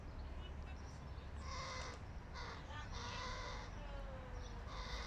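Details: A fluffy crow fledgling being fed by its father gives harsh, nasal, drawn-out begging calls, about five in five seconds, each rasping and slightly wavering, over a steady low traffic rumble.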